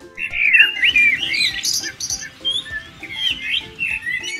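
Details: Common blackbird (Turdus merula) song: rich, fluty warbling phrases, varied and quickly delivered, rising and falling in pitch, over soft steady background music.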